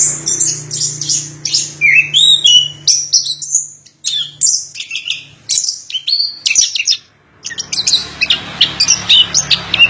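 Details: Orange-headed thrush singing quick, varied phrases of high whistles and chirps, briefly pausing twice, with a low droning hum underneath at the start and end.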